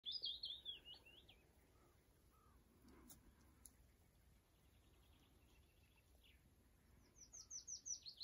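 A willow warbler sings two sweet, liquid phrases that slide down the scale, one opening and one closing the recording, with faint distant birdsong between.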